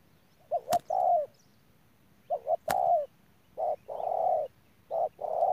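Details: Spotted dove decoy recorded at Đức Cơ on 17 November 2018, giving paired short notes and long hooting coos in repeated phrases, interrupted by two sharp clicks.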